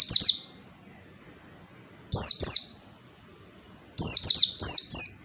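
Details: Oriental white-eye singing as tutor material to prompt quiet birds to sing: high, chattering trills of fast descending notes in short bursts, the last two phrases close together.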